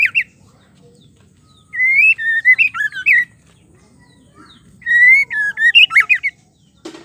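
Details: Calls of a female white-rumped shama, used to get males singing: two separate phrases of bright, twisting whistled notes, each about a second long, divided by quiet, ending in a brief rasp.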